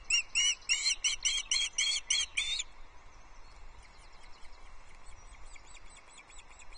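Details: Osprey calling at the Loch Arkaig nest on 22 June 2024 as the male brings a small trout for the chicks; a rapid run of about eight shrill whistled notes, then fainter chirps fading into background.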